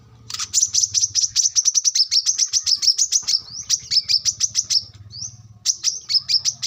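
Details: Wild brown-throated sunbird song used as a lure and training model for young birds: a fast series of very high, sharp chip notes, about six per second, briefly broken by an upslurred whistle, then resuming.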